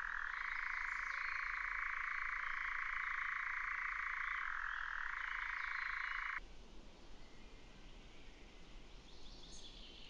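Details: Nightjar recorded in 2019: a continuous dry mechanical churring trill, steady for about six seconds with a slight drop in pitch near the end, then stopping abruptly and leaving faint background hiss.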